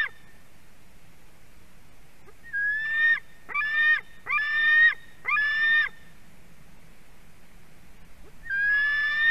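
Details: White-tailed eagle chick begging at a fish delivery on a Durbe nest cam, 31 August 2020 afternoon: four clipped harsh screams bunched together, a pause, then one longer scream, over a faint low rumble.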